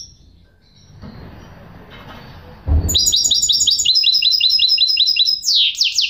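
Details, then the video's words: Following quiet background noise and a thud, a goldfinch hybrid launches into loud song: quickly repeated bright chirping notes, steady in pace, ending with a few sweeping higher notes. "chant mulet de chardonneret"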